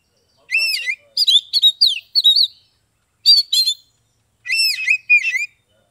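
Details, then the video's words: Kacer or Oriental magpie-robin, caged in Kebumen, Central Java, whose song prompts silent birds to respond: rapid sequences of sharp slurred whistles and looping notes in three energetic bursts, with brief pauses between. "SUARA KACER NGEPLONG untuk terapi kacer bisu, malas bunyi, langsung respon dan gacor"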